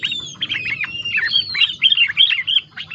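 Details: Yellow-vented bulbul singing with green leafbird filler phrases: quick run of sweet, slurred chirps and bright upward and downward whistles, packed closely together, with a thin high whistle drawn across the start.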